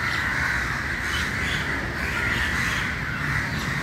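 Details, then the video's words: Crows massed together early in the morning, a constant wall of rough, grating caws from many birds, with low background hum beneath. "Very Important Meeting And Corum Of Crow Early Morning"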